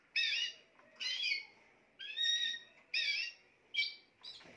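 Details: Spanish timbrado canary singing loud, full, metallic phrases alternating with a held, pure whistled tone, roughly once per second.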